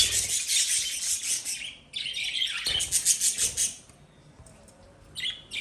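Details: Lovebirds chatter in a loud, high flurry that stops, restarts with a run of rapid chirps, then falls quiet apart from a final short call.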